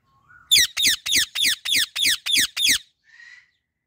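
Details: Female Indian ringneck parakeet on a blooming apple tree, natural voice: a rapid series of eight harsh, high screeches, about four per second, ending with a softer squeak.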